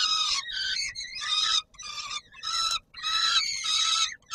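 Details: Peregrine falcons calling at feeding time at the Palace of Culture and Science, Warsaw, Poland, 17 July 2022. Harsh, drawn-out harmonic screams about a second long, repeated with short gaps, rasping and insistent.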